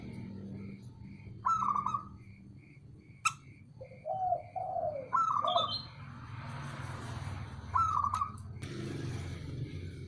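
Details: Calling male local perkutut, or zebra dove: trilled notes and short falling coos, partly masked by background hiss and hum, with steady faint high pips and an occasional click.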